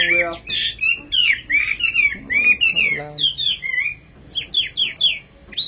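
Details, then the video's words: Nightingale singing a fast, varied series of short whistled slurs and chirps in bursts, with brief human speech mixed in midway and a quicker stutter of notes at the end. "Singing nightingale. amazing bird song"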